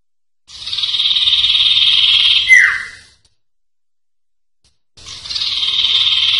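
Common Iora giving a long, high, buzzy trill of about two seconds that ends in a sharp falling note, then starts again after a pause.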